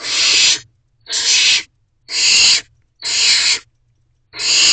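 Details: Barn owlets in a nest box at night during an excited food delivery, 10:20 pm, 2 May 2023: harsh, rasping hisses, each about half a second long, repeated roughly once a second, with faint low rumbling between.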